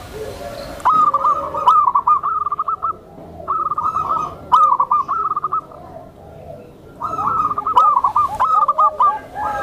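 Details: Soft-voiced tame zebra dove, used to lure other zebra doves and to calm new birds: three bursts of rapid, rolling, clipped coos, each lasting one to two seconds, separated by short pauses, with faint clicks between.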